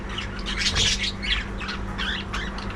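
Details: Colony of captive breeding budgies: grating squawks and warbled chirps overlapping in quick succession, with a low steady hum in the background.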